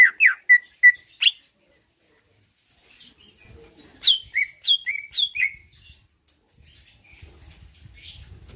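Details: Greater green leafbird (cucak ijo) singing to provoke rivals with short bursts of sharp, falling whistled notes. Quiet pauses separate the bursts, with a faint low rumble near the end.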